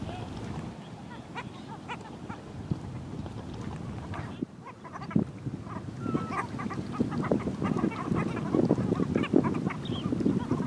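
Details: Black skimmers flocking with gulls and sandpipers at the shore of Tampa Bay, St. Petersburg, Florida: many short, low, honking yelps overlapping in a busy, irregular chatter that grows louder toward the end, with a brief lull midway.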